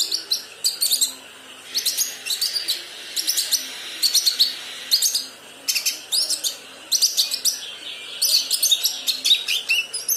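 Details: A young kinoi bird learning to sing: bursts of high, dense chattering notes in phrases about a second long, separated by short pauses, repeated through the recording, with a faint background hiss.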